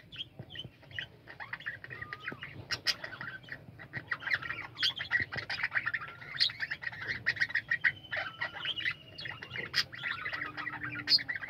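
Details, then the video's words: Budgerigar colony in lively chorus, a steady stream of overlapping chirps, warbles and brief squawks that grows denser and louder through the second half, with occasional drawn-out whistles. "বাজরিগার পাখির কলরব ও গান"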